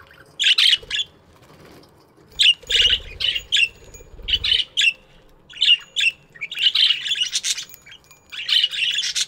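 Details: Aviary budgerigars in the morning, loud bursts of harsh, squawky chirping and chatter from several birds, clustered in busy runs with short quiet gaps and a brief low rumble.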